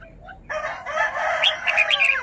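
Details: Caged red-whiskered bulbul showing off its song phrases: a bright burst of quick, sharp whistled notes rising above a steady drawn-out crowing, with several notes clustered near the end.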